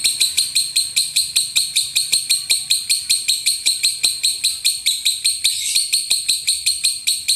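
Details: Lovebird delivering a long unbroken run of high, ringing, identical notes at about two and a half per second, from a mastering recording meant to train lovebirds to win singing contests.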